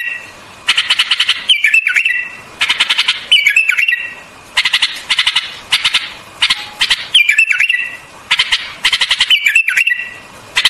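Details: Repeated song of a white-eared bulbul, about six brief liquid whistled phrases with a dipping, wavering turn, each introduced by rapid rattling clicks, spaced roughly every one and a half seconds.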